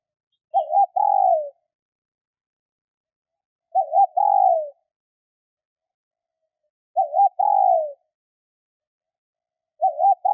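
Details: Female spotted dove calling to stimulate males: four low coo phrases, each a short wavering double note followed by a longer, slightly falling coo, repeated about every three seconds against a silent background.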